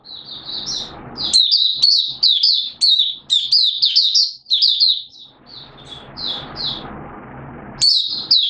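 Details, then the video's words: Oriental white-eye (mata puteh) of Malaysian stock singing 'buka' in Singapore, 29 March 2023, humid with sudden showers: lively, rapid high twittering in repeated bursts, with a background hiss during a quieter middle stretch. "Malaysian Mata Puteh Buka Sing"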